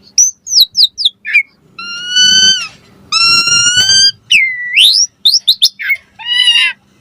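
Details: Asian pied starling song intended to make other starlings respond: quick falling whistles, two long steady harmonic notes, a drawn-out rising sweep and more rapid slurred notes.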